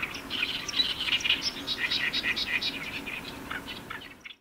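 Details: Several Oriental reed warblers recorded on 18 May in Iwakuni, Hiroshima, Japan: harsh, grating chattering phrases repeated rapidly and continuously, overlapping one another, over a steady background hiss.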